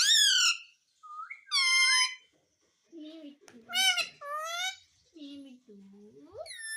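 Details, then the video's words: Ringneck parrot that talks, reportedly saying "mummy": loud drawn-out nasal harmonic notes, some rising and some falling, alternating with quieter lower voice-like sounds and short bursts indoors. "Mummy Bolne Wala Parrot _ Talking Parrot _ Ringneck Parrot"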